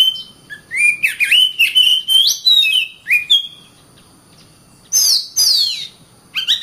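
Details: Oriental magpie-robin (kacer) song: a quick run of bright, wavering whistled notes, a pause, then loud, high sweeping notes that slide downward, ending with short rising whistles.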